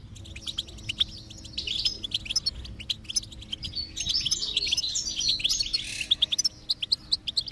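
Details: Goldfinch song meant to encourage a quiet goldfinch to sing: scattered high chirps building into a dense, jangling twitter midway, then ending in separate sharp clicking notes.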